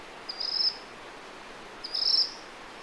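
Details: Ryukyu minivets, a pair flying in woodland, captured with a ZOOM M3 MicTrak at 32-bit float: two high, thin, slightly rising trilled notes about a second and a half apart above faint hiss.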